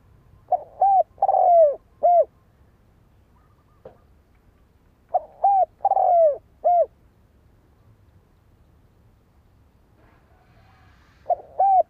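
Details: Spotted dove cooing in spaced phrases roughly every five seconds, each made of a soft lead note, an arched coo, a long husky falling coo and a brief closing coo. A third phrase starts at the end.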